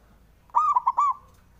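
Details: Male zebra dove, local bird, singing to goad rivals into reply: one tight phrase of soft, resonant coos, a long first note followed by two short clipped notes and a sustained closing note.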